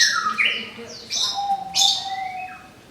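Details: Orange-headed thrush song used as therapy for a bird just out of its moult: a few bright whistled notes near the top of the range, sliding phrases, and a long, steady, lower whistle held for over a second.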